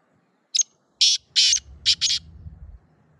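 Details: A black francolin gives one brief clipped note followed by a run of four loud rasping, grating bursts, the last two close together, over quiet background with low murmur.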